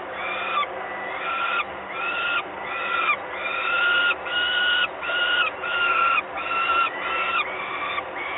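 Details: Three peregrine falcon chicks at a nest in Gdynia, Poland, on 30 May 2021; continuous, insistent, harmonic wailing calls repeated about every second, slightly rising and overlapping, over steady background hiss.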